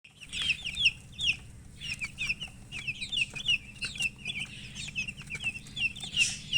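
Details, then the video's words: Chicken chirping: rapid, high peeping notes, each a short sliding chirp, coming several per second over a low background hum. "silly chicken chirping sounds"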